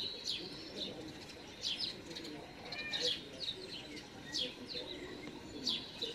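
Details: Young great spotted woodpecker begging with open bill while being fed by a parent in a home garden on 13 June 2019; high, thin chirps repeated irregularly, roughly one every second, over faint background rustle.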